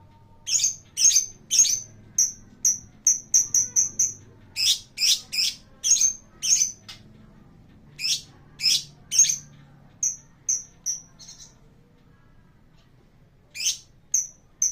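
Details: Lovebird song played as a lure to set other birds singing. Loud, sharp, high chirps come in quick runs, mixed with harsh rasping shrieks. Pauses break the runs, and it all sounds close and clean against quiet background hum.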